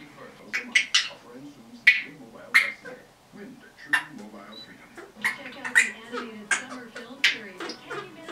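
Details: Young female red-bellied parrot kept indoors as a pet, 10.5 months old, giving a string of short harsh squawks and chattering notes, several per second, between quieter pauses.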